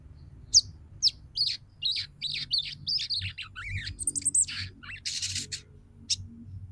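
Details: Female crimson sunbird calling to a male, intended to make males sing and come into breeding condition; a lively series of high, sharp chirps and twittering notes, with a brief hissing burst near the end.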